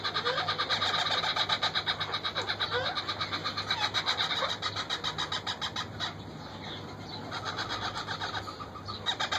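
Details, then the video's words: Hungry parakeet chicks being fed by a wild parent parrot, making a continuous rapid, rasping, pulsing chatter about two to three pulses per second, swelling and fading, with faint low background hum. "My Wild Parrot Feeding food Her hungry Chicks (little Parrot Babies)"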